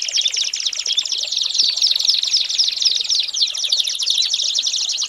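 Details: American Singer canary song meant as a training model for young birds: a rapid, rattling trill of quick descending notes, about four per second, delivered continuously with a slightly watery, bubbling quality.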